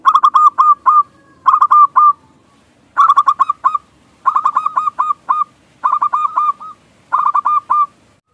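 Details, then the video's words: Local zebra dove singing energetically, used as a lure to make other doves coo: six bursts of rapid, bubbling coo notes, each phrase a quick run of hooked, mellow tones, separated by short silences. "Perkutut Lokal GACOR Pikat Paling Ampuh Pancingan Cepat Bikin Perkutut Bunyi Manggungung"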